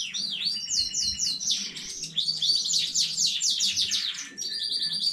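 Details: Canary from a newly bred home stock, recorded 15 May 2019, singing a fast, rich run of rising and falling whistled notes and quick repeated chirps, with a low household hum underneath.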